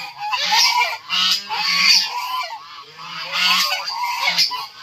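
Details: Loud harsh honking from white geese kept with fighting chickens on a poultry farm, calls coming in two-part bursts with a short lull midway.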